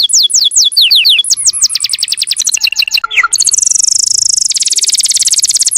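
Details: Canary master song meant as a model for training other birds: quick descending whistled notes that merge into a rapid chattering roll, then a long, very high, even buzzing trill.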